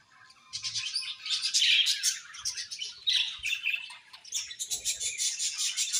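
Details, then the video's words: Colony of budgerigars keeping up continuous high chattering and squeaky tweets, several birds overlapping, with rapid pulsed runs of notes toward the end. "Beautiful Budgies Chirping Sounds"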